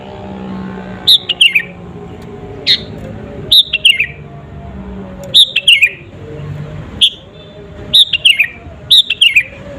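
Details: Sooty-headed bulbul song used as a provoking lure for rival birds: repeated bright whistled phrases, each stepping down through two or three slurred notes, with single high notes between, over a faint low hum.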